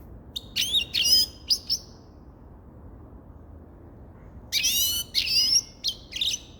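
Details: Grey-crowned goldfinch singing: two bursts of high, tinkling, twittering notes with quick rising and falling slurs, separated by about two seconds of quiet with a faint low background hum.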